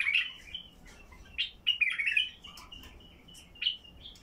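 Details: Basra bulbul, heavy-throated, singing to stir quiet bulbuls into song: loud fluty warbled notes in quick bursts, a bubbling phrase near the middle and a closing whistle.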